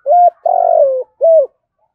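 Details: Spotted dove (Spilopelia chinensis) gives a contest coo used to challenge rivals and lure wild doves: three low, hollow coos over two seconds, a short note, a longer wavering one, then another short note, with no other sounds.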